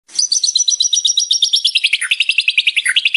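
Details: White-rumped shama, murai batu, song used for training: a fast rattling series of clipped notes, about two to three per second at first then quickening, high and trilled, stepping down in pitch partway through.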